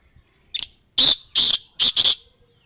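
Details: Female black francolin calling: a faint short lead note, then four loud, harsh, rasping bursts, the last two closely paired, with silence around them.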